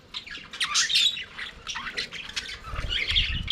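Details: Budgerigars, a flock kept in an aviary, singing and playing: dense, overlapping warbled chatter with scratchy squawks and chirps, continuous through the clip, with a low thump near the end.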